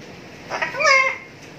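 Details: A pet cockatoo dancing while people play with it gives a brief scratchy squawk, then a single clear, voice-like call mimicking "kakak tua", rising then falling, about half a second long.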